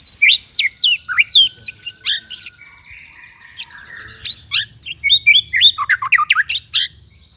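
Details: Singing white-rumped shama: bursts of crisp, rapid downslurred notes, a quieter buzzy and chattering middle passage, then another lively string of sharp whistles and chirps, about four notes per second.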